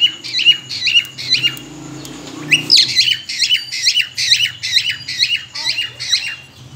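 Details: A breeding-ready cockatiel whistles for mating, a short pause splitting two bursts of evenly spaced, shrill chirps that repeat a little faster than twice a second. A faint low hum sits underneath.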